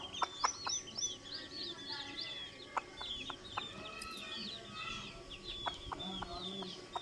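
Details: Hen noises for chicks: intermittent sharp clucks mixed with a continuous twittering of many high, downslurred chick peeps.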